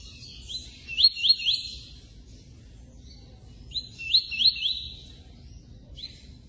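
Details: A double-collared seedeater sings the "0000" (zero-zero) song type. It gives two brisk, high phrases of sharp, slurred notes about three seconds apart, ending with a single short note, over a faint low rumble.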